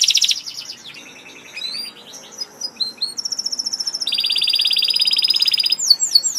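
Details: Canary in vigorous song: varied phrases of buzzy notes, quick chirps and short high whistled tours, then a long steady rolling trill, ending in sharp falling high notes.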